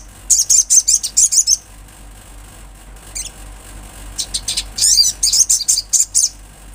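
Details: Olive-backed sunbird in lively song recorded in nature: fast runs of high, sharp, ticking notes about eight to the second, a pause with one faint note, then a second rapid burst.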